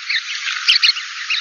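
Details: A Chestnut-collared Longspur gives a high, quick two-part call with somewhat harmonic notes a fraction of a second apart, over a steady hiss; featured for winter grassland surveys.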